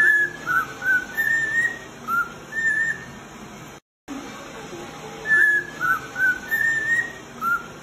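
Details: Male cockatiel whistling, used for training other cockatiels: a phrase of short, clear whistled notes, mostly level or slightly rising, played twice with a brief silent break between; faint steady background hum.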